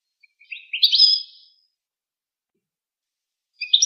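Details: Goldfinch song: a single rising twittering phrase of quick liquid notes that lasts about a second, followed by a long pause and then the start of a second phrase.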